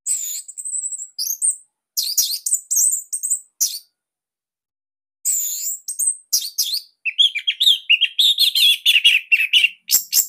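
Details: Varied, loud song of a captive Orange-headed thrush from Bali, used as master material for other birds: high squeaky whistles and chatter in bursts, then a long run of quick, tight, buzzy notes.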